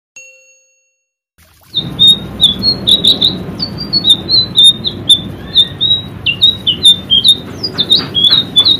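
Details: White-rumped shama in energetic 'gacor' singing, used as a training recording for caged birds: after near silence, rapid high chirps and short whistled notes repeat several times a second for about seven seconds over low background hum.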